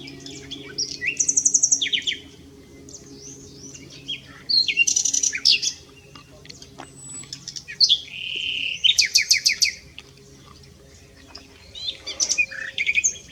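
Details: Common nightingale singing at S'Albufera: varied high phrases of whistles, rapid rattling trills and clicking notes, separated by short pauses, with a faint low hum beneath.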